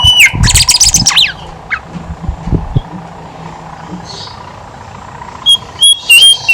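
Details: Horsfield's babbler, a lively singer used as a lure to get other birds singing: sharp high notes and a quick burst of chatter open the clip, with loud whistled notes returning near the end over a steady traffic hum.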